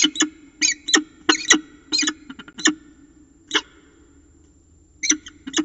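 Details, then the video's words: Peregrine falcons at a nest in Orange, Australia, September 2018, the sitting bird not being relieved by its mate; sharp, high pi pi chips in uneven bursts with pauses, over a constant low electrical hum. "Diamond nie daje zmiany , słychać - pi pi"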